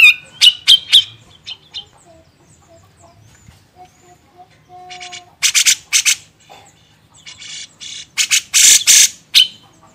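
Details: Grey-cheeked bulbul, recorded for training songbirds, delivers quick chirps at the start, a few soft whistled notes in the middle, and then bursts of loud, harsh, rasping chatter.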